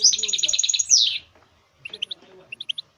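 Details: Goldfinch mule song meant to motivate caged songbirds: a bright, evenly pulsed trill of about ten notes ending in a falling sweep, followed after a pause by a few quick high chips.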